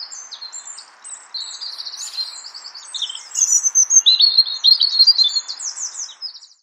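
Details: A European robin (Erithacus r. rubecula) in Brussels, Belgium, March 2014, sings thin, liquid warbling phrases, very high and rapidly shifting in pitch, growing louder toward the middle. A soft steady hiss runs underneath.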